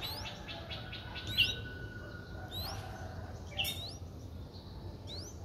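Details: A four-day-old Streak-eared Bulbul nestling in Ubon Ratchathani, Thailand, 6 April 2023, gives about five thin, high, sharply rising squeaks over a few seconds against a low steady hum.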